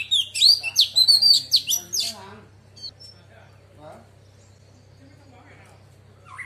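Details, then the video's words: Female Oriental magpie-robin delivering about two seconds of loud, fast whistled notes and sharp sweeps in her wild-voice song, intended to excite males. Quiet follows with a faint hum, and a soft note starts again at the end. "Choè than mái hót giọng rừng kích trống căng đét"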